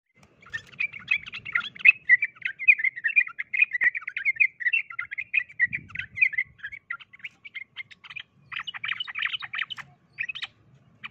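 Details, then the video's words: Sooty-headed bulbuls, a fighting bird matched against a forest bird, in dense overlapping chirpy chatter around the mid-high range, busy bursts through most of the recording with brief low rumbles beneath. "Burung trucukan Tarung VS trucuk Hutan"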